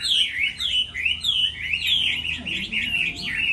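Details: Moulting Chinese hwamei in a singing contest delivers loud, mellow whistled notes in quick succession, each one swooping down then up, forming a steady, rollicking phrase.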